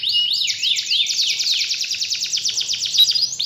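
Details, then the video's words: Lure song of a canary played to stir a reluctant canary back into full singing; loud, rapid rattling trills of rising and falling notes, sliding straight into a fast buzzy run of short repeated syllables. "Pancingan Burung Kenari Males Bunyi Agar Gacor Lagi"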